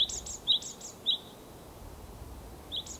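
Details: Japanese tit giving clear paired whistled notes, high then lower, repeated several times quickly, a short gap, then one more; continuous faint hiss in the background.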